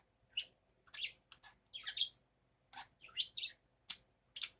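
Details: Morning budgerigar chattering in a run of short, sharp, high chirps and squeaky warbled notes in bursts, with brief pauses between clusters; no other sounds stand out.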